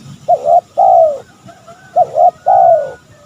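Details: Calling spotted dove, used as a lure for rival males: two phrases, each a short double coo followed by a longer coo that slides downward, separated by a brief pause, with faint low rumbling.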